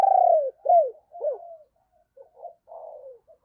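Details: Deep-voiced spotted dove used as a decoy to lure wild doves. Calls begin with a loud, long falling coo, followed by shorter arched notes that grow fainter, then soft, muffled cooing.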